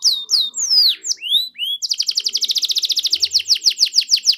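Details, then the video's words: Canary song used as a 'pancingan' lure to get quiet canaries singing: opening with separate curved whistles and downslurs, then a long, fast, even trill of bright repeated notes. "PANCINGAN AMPUH BUAT KENARI YANG SUSAH BUNYI AUTO NYAUT, SUARA BURUNG KENARI GACOR DOR"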